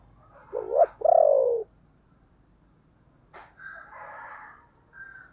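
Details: ['Decoy spotted dove cooing to attract wild doves: a short rising coo then a long falling throbbing coo, followed by scratchy, higher sounds over steady low background noise.']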